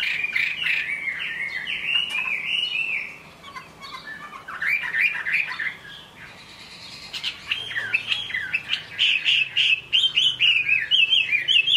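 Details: Chinese hwamei singing in the rain: loud, rich run of varied whistled phrases, rolling and warbling, with a short quieter pause near the middle before the fast, bright notes resume.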